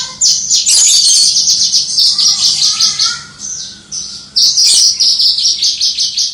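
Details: Hobby-kept Javan bush lark in full gacor crystal-voiced song from a distance: rapid, piercing high trills and chips, a lower fluid warble in the middle, then another bright rattling burst.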